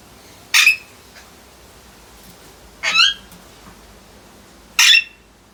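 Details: Alexandrine parrots giving three loud, harsh, rasping squawks, each about a third of a second long and spaced about two seconds apart, over a low background hum.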